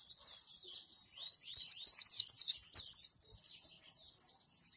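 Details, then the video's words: High, fast chatter of a white-eye giving the Roll Tembak plus Wituwit song, played to train pleci birds to imitate: a quiet twittering run swells into a loud burst of sharp, sweeping chirps, then fades back to soft trilling. "Roll Tembak + Wituwit"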